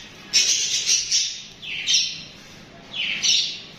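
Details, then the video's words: Pet budgerigars (parakeets) chirping and chattering: three bright, buzzy bursts, each sweeping down then flaring high, spaced about 1.5 seconds apart in a quiet room. "Listen to These Cute Budgies chirping Nonstop!"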